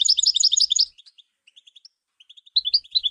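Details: European goldfinch song played for training and stimulating other songbirds: a dense burst of high, tinkling twitters, then a pause of sparse single chips, then another rapid twittering phrase.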